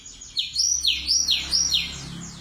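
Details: Sunda blue robin singing a song filled with sikatan londo flycatcher phrases, kept as a master recording to train other birds: loud, clear swooping whistles that rise and fall, repeated three times at about half-second intervals over faint low hum.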